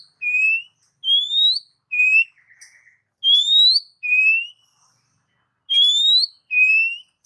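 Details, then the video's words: Oriental magpie-robin song for training caged birds: paired long whistles, a lower steady note then a higher rising one, repeated three times with brief pauses and a faint buzzy note once. "MP3 master burung kacer"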